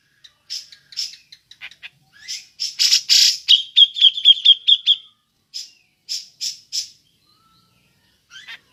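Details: Grey-cheeked bulbul, locally cucak jenggot, giving ngepik calls that serve as a lure for other birds: scattered chips, rough harsh bursts, a rapid trill-like run of whistled notes, then spaced buzzy calls.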